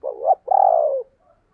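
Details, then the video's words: Two-part coo of a calling spotted dove, recorded 2022 as thúc and gáy gọi: a short climbing note followed by a drawn-out mellow coo easing downward, then a faint trailing murmur. "tiếng cu gáy/ thúc + gáy gọi mới nhất 2022"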